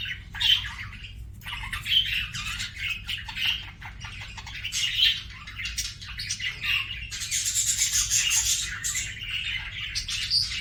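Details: Singing pet budgie giving a long, dense warble of chirps, clicks and squeaky notes, with a brighter, harsher burst of chatter in the later seconds.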